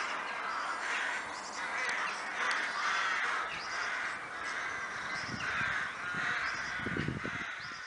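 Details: Dense chorus of many crows in Kloosterbos woodland near Vaals, a crow wood: harsh repeated caws in pulsing waves, with low thumps or rustles late in the recording.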